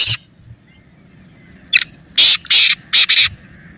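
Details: Black francolin (kala teetar) giving a series of loud, rough, buzzy notes. A single short note is followed by two longer rasps, then a quick doubled note near the end. Otherwise a quiet background.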